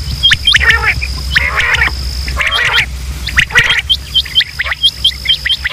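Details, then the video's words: Quail from Pakistan, male and female calls played to lure quail for hunting: grouped harsh chattering bursts, then a run of evenly spaced short clipped notes near the end, over a steady whine and hum. "sound of quail | new batair ki Awaz صدای بلدرچین"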